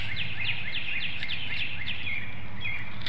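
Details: Bald eagle pair at a nest in Hanover, Pennsylvania, on a March 2019 morning around 6:55, the female incubating eggs, trading calls with her mate: quick, high, downward-slurred chirps repeated in a steady chattering run over a low steady hum.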